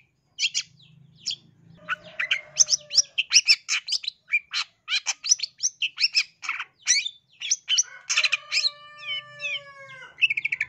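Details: East Java long-tailed shrike song for luring and tutoring caged birds into aggressive singing. Rapid, rasping chatter mixes with clear, steady whistled tones holding level notes, then breaks back into fast, scratchy notes over a faint low hum.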